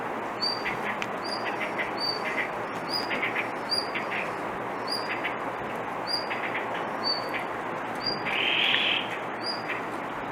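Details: Blue rock thrush calling persistently rather than singing a pretty song: thin, high, slightly descending notes repeated about every half second over steady broadband background noise, with a brief louder rushing sound near the end.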